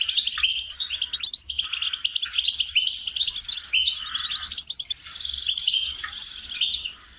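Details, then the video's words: A goldfinch sings a fast, continuous, liquid twittering song of high tinkling trills and buzzy notes, with no pauses and no other sounds; recording used as singing lessons for goldfinches. "singing lessons for goldfinches"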